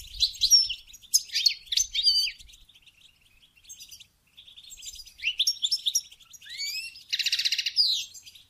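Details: Goldfinch; song; stimulating mating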